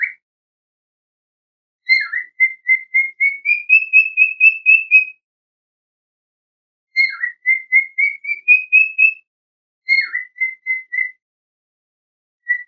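A cockatiel gives bursts of quick, clear whistled chirps, each run opening with a short dipping note.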